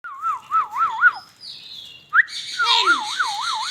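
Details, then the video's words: Ringneck parrot talking: a wavering, siren-like whistle rising and falling about twice a second, then a sharp upward squeak and buzzy hissing before the wavy whistle returns. "ringneck smart magical amazing sweet |king |parrot talking"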